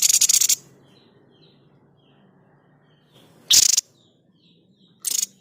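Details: White-chested babbler producing its 'tembakan' shot sound, recorded to tutor songbirds: three harsh rattling bursts, the middle one loudest and sharpest, with soft high chirps from another bird in the gaps.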